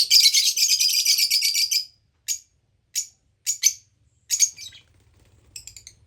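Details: Lovebirds calling: a dense run of shrill, high chattering notes for about two seconds, then several short separate shrieks and squeaks spaced irregularly, with a faint low hum underneath.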